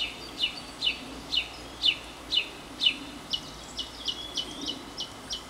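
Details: Northern mockingbird singing from near a porch in a long cycle lasting at least thirty minutes, at times breezy; a run of about six downslurred chirps repeated every half second, then a faster series of short sharp notes, over soft background hiss.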